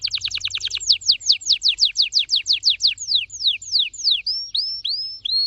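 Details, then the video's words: Red factor canary, a melodic orange-red bird, pouring out a rapid trill that slows into evenly spaced falling whistles, finishing with a few rising, curved notes. "Your canary Will Sing Unstoppably || The master singer || Best canary 2026||very fast singing canary"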